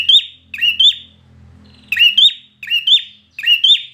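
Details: Red-whiskered bulbul singing in competition style: ringing whistled phrases with a quick upward flick, paired close together, a short pause, then three more phrases; faint low hum behind.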